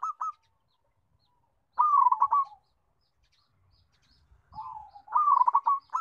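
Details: Zebra dove of a local strain, loud and sweet-voiced, gives short bursts of fast rolling coos separated by silent pauses, the last phrase opening with a soft low trill before the pulsed notes.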